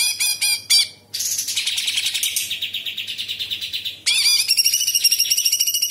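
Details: Actively singing cucak cungkok bulbul mixing in mimicked calls of other birds and insects: a few clipped notes, then a long run of rapid, high, buzzy notes, then a brighter, fast, twittering trill.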